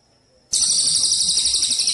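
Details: Javan munia on a training recording for songbird contests: after a faint tone, a loud, high-pitched, sizzling trill starts abruptly and continues with rapid, even pulses.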